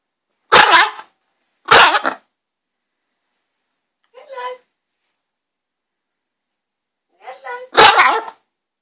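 Green-winged macaw giving harsh, raspy squawks: two loud ones a second apart, a softer call, then a final pair. Quiet otherwise.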